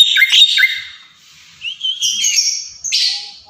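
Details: Javan myna kept as a pet, singing a short varied phrase: a burst of harsh, scratchy high notes, a thin rising whistle, then a buzzy rasping ending, all loud and close with a quiet background.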